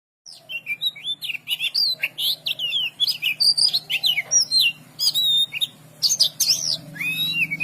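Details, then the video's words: Oriental magpie-robin singing a fast, varied stream of sharp whistled and chirping phrases, some sliding up and down, with short gaps between bursts and a low steady hum underneath. "dengarkan kicauKACER INI"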